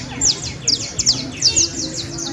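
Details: Canary from Valledupar, one of four birds presented as the best. A short run of bright, high down-slurred chirps, a few standing out louder, over a steady low background hum.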